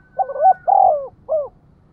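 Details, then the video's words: Lure call of a spotted dove, 'giọng thổ' voice, meant to provoke wild birds: paired short coos, a long rolling coo, then a brief closing coo, clean and close with little background. "cu gay kich boi nhanh noi gù, tiếng thúc cực đỉnh"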